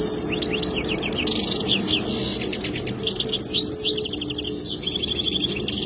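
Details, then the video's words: Goldfinch song: a quick run of liquid chirps and upslurred whistles that gives way to rapid, evenly pulsed trills and buzzy rattles, with a faint low hum beneath. "اجمل تغريد حسون"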